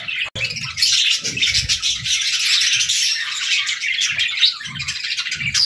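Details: Several pet budgerigars chirping steadily during evening play, a dense, scratchy twitter without pauses, with a sharp click near the start and light thumps of movement.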